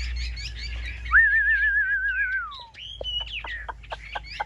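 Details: Chinese hwamei kept in a cage: busy high chatter breaks into a long, clear whistle that wavers steadily, then slides gradually downward, followed by scattered sharp notes.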